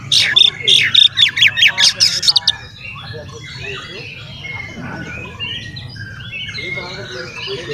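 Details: Oriental magpie-robin singing to provoke its rivals: a loud two-second run of quick, harsh, strongly pulsed notes, followed by softer background twittering from other birds.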